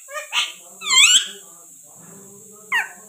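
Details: Pet parrot kept indoors; a few short, squeaky chirps rich in overtones, one sweeping up then down, separated by quiet pauses over a faint low hum.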